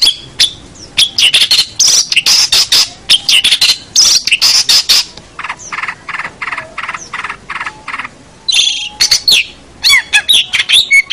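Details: Long-tailed shrike master song for training birds: a dense stream of harsh chatter and screechy notes, a middle stretch of regular rasping repeats, then squeaky whistled slurs and sharp chips to the end.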